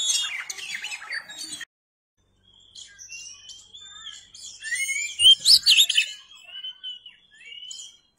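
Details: Kacer, the oriental magpie-robin, in a masteran recording: a short burst of tangled, chattering notes, a brief silence, then long thin whistles rising into a loud, warbling flourish.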